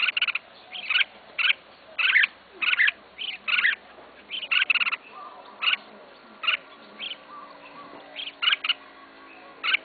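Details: Kept red-whiskered bulbul repeating short chirped phrases at fairly even intervals, each a brief cluster of bright notes, over a faint background hum.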